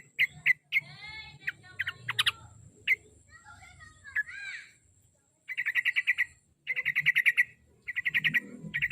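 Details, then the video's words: Yellow-vented bulbul used as a lure to encourage a kept bird to sing. The bird gives bright, rapid, stuttering bursts of chattering notes, repeated in quick runs after opening with scattered sweeping whistles. A low hum and murmuring sounds lie underneath. "KICAU SUARA BURUNG TRUCUK PACINGAN BIAR RAJIN BUNYI"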